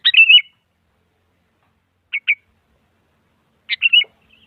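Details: Sooty-headed bulbul song meant to stir a quiet bird into singing: a bright warbled phrase, two short clipped chirps, then another sharp note leading into a rolling whistle; no other sounds.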